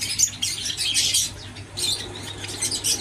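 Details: Captive Java sparrows in an aviary give two clusters of quick, sharp high chirps and clicks separated by a short lull, over a faint low hum.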